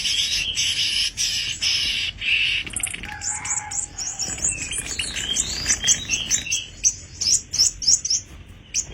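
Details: Sogon kept as a tame caged bird, starting with harsh buzzy rattling, then a low whistle and mixed chattering, ending in quick rising whistled phrases with some wing-flutter sounds.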